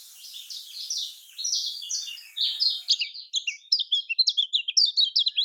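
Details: Lombok lemon-bellied white-eye (kecial kuning) singing as a lure for quiet birds: a hurried stream of high, slurred chirps that turns into crisper, clipped twitters in the second half, all very high-pitched and continuous.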